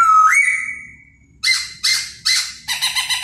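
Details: Laughingthrush singing during its dance: one long rising then level whistle, followed by four loud harsh bursts and a short rapid stutter of notes.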